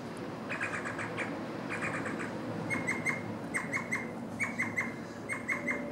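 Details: Pied oystercatcher at Deeban Spit, Port Hacking, NSW, Australia, 4 September 2016, where a pair takes turns building a nest scrape: loud, shrill piping notes in quick runs of three to five, rough then clear and ringing, over steady surf.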